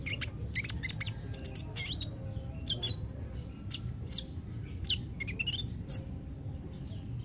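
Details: Kolibri ninja song used as therapy to encourage a caged bird reluctant to sing: rapid, sharp, high chirps and short upslurred squeaks in quick irregular bursts, over a steady low hum.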